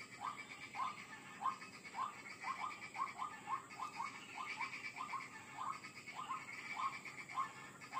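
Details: Lure recording of a White-breasted waterhen: short, nasal, hooting notes repeated nearly twice a second in a loose rhythm, fairly soft, with a steady hiss behind.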